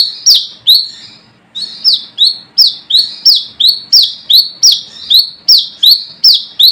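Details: Wild brown-throated sunbird summoning rivals, a call used to lure birds: piercing high chips that slide down into short buzzy trills, fired in a fast steady series after a brief early gap.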